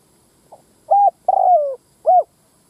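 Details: Spotted dove lure call used to attract males and females: a faint note, then three low hollow coos, the middle one long and sliding downward, in a quiet setting.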